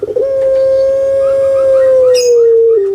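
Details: Jumbo-sized, kept spotted dove called puter pelung in Java sustains a single long, loud, resonant coo lasting nearly three seconds. It slides lower at the end. A short sharp sound cuts in near the close.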